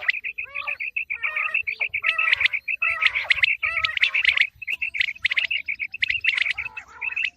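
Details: Calls of a female common quail for the wheat season: a steady stream of short bright notes, roughly one a second, overlaid with chattering bursts from more than one bird.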